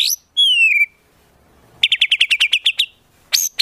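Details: Clear, slightly descending whistle from a white-rumped shama training recording for contest birds, then after a pause a fast series of about a dozen sharp chips and two loud upward notes.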